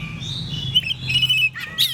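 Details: An Oriental magpie-robin (kacer) in energetic gacor ngeplong morning song that sets off replies from other magpie-robins: sustained high whistles and short chirps, with a few warbled phrases and quick rising notes, over a faint low hum.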